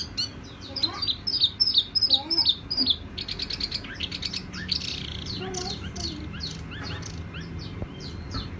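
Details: Soft, resonant tiểu mi song. A burst of loud, sharp whistled notes comes in quick succession, then a longer, quieter chatter of rapid high notes.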